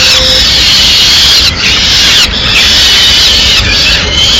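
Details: Mid-morning feeding at a Madrid peregrine falcon nest: chicks beg noisily as the female brings a small bird; continuous grating high-pitched screeches with brief breaks between longer wails.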